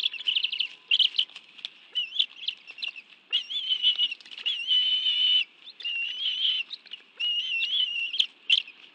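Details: At a Washington, D.C. bald eagle nest in the National Arboretum, mid-afternoon on 11 June 2017, both parents bring fish to two young; thin whistled notes with wavering pitch, some drawn out, mixed with quick chips and wing rustles.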